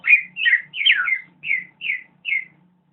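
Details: Greater green leafbird singing gacor: six separate warbled whistles, each sweeping down and twisting, evenly spaced about every half second, with a faint low hum behind.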